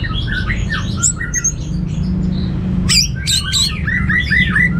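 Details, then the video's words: An orange-headed thrush sings a rich, varied song of quick whistled and scratchy phrases, rising and falling and packed with mimicked notes, over a steady low hum. "Suara Gacor Burung Anis Merah Teler Materi Melimpah"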